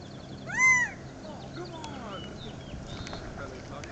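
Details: Quail sitting in a tree at Dead Horse Ranch State Park in Cottonwood, Arizona, 2 May 2010: a single strong rising-then-falling nasal note near the start, then faint twittering of other birds in the background.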